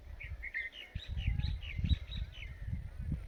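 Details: An Indian ringneck (rose-ringed) parakeet talks, saying "Mithu", in a run of quick, bright, chirpy syllables, about a dozen in three seconds, over a steady low rumble.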